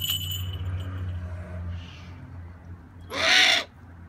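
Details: Eurasian eagle-owl: a single harsh, breathy screech near the end, lasting about half a second, follows quieter moments with a low steady hum throughout.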